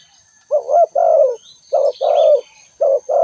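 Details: Spotted dove cooing steadily, three phrases in quick succession, each a short coo followed by a longer, louder, gently descending note. Soft chirps of small birds and a high continuous insect drone behind.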